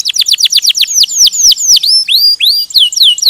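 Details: Canary in vigorous ngerol song, quick repeated sharp notes giving way to longer, louder swooping whistles that drop and rise, all high-pitched and clear.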